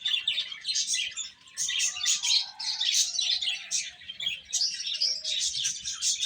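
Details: Chicks eating and calling: high, rapid, overlapping peeps in surging bursts, with a couple of sustained lower whistles partway through.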